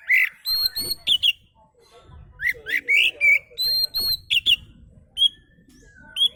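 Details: Oriental magpie-robin relaxed song used as a lure: bursts of sharp chirps and high whistled notes, repeated in clusters, with a quieter pause midway and faint low background noise.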